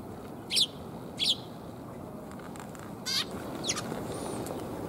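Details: Sparrows coming to be fed, recorded on 28 November 2021: short, bright chirps, two close together, then a pause and two more, over a low, steady rumble of background noise.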